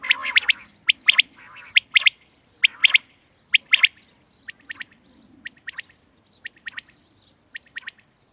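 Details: Quail call dated 31 March 2024, made of crisp, high, clipped notes in pairs and triplets about once a second, the bursts getting softer and more spaced toward the end against a quiet background.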